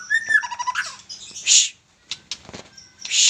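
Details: Young White-rumped shama singing energetically: a quick run of clear whistled and chattering notes jumping between pitches, broken by loud harsh rasping bursts, with short pauses between phrases.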